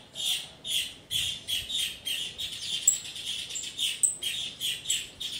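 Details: Domestic canary repeating a fairly high, buzzy pulsed note roughly every half second in a steady rhythm, with occasional thin, very high accent notes.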